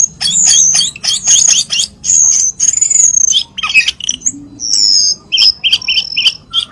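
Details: Cucak keling call meant to encourage pet birds to sing: loud repeated squawky whistled phrases, then a run of short paired notes repeated about once every half second.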